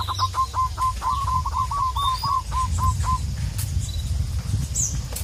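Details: Local wild zebra dove calling a rival: a rolling sequence of short repeated coos that quickens in the middle and then slows. It plays over steady low background noise with scattered faint high chirps.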